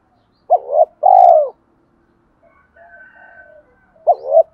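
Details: Spotted dove giving its full cooing song, used to stir up and lure other doves. A double coo is followed by a longer drawn-out note, then a soft distant call and another double coo.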